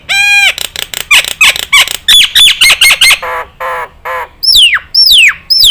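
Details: Nias hill myna song from a tutor recording meant to be easy for other birds to imitate: a loud rapid series of ringing nasal notes, harsh chacks and sharp downslurred whistles.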